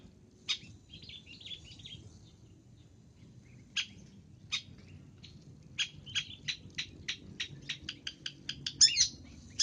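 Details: Long-tailed shrike, recorded as a sound for luring: scattered harsh, buzzy notes, with a burst of chattering at the start, then a quickening run of short rasping calls toward the end over a low rumbling background.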